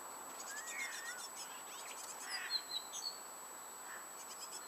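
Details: Coal tits rearing chicks at a garden nest box give thin, high chirps and short squeaky notes in quick bursts, with a soft, rasping twitter over a steady high whine; the chicks fledged on 31 May 2019, around 05:00–06:00.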